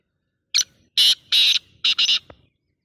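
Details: Single rasping call phrase from a black francolin. A quick opening note leads into two drawn-out scratchy notes, then after a short pause a final hoarse pair, all within about two seconds with near silence around it.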